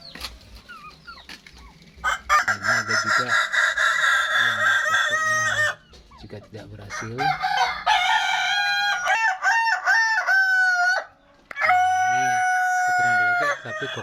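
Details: Kokok Balenggek rooster from West Sumatra, an unsuccessful breeding result whose crow lacks the stepped balenggek pattern, crows long and harmonic several times, with a sustained crow, a wavering rising phrase and a final even crow, with a man talking quietly at the start.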